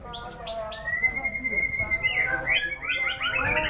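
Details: White-rumped shama in full song, a run of quick rising whistled notes, then one long steady whistle, breaking into varied chattering phrases over a faint background murmur.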